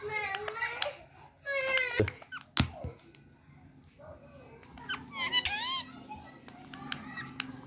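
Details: An Indian parrot (mitho) kept indoors, talking while a baby boy plays with it: harsh, harmonic squawks and speech-like bursts in short clusters separated by quiet gaps, with clicks and small room noises.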